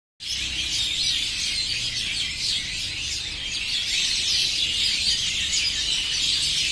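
A dense chorus of many small birds chirping and twittering at once, high-pitched and continuous, forming an unbroken wash of bright notes.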